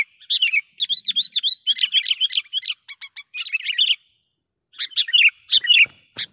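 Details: Sooty-headed bulbul calling as a trapping lure: rapid rows of sharp, slurred chirps for about four seconds, a short silence, then a few more bubbly phrases and faint knocks.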